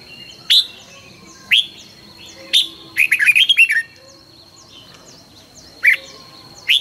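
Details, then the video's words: Red-whiskered bulbul morning song for training, recorded 2020: single sharp upslurred notes spaced about a second apart, then a rapid bubbling run of whistles, and further lone notes, against a faint constant high-pitched hum. "luyện chào mào hót sáng 2020- Hót hay nhanh căng lửa - Cách luyện chào mào hót căng lửa"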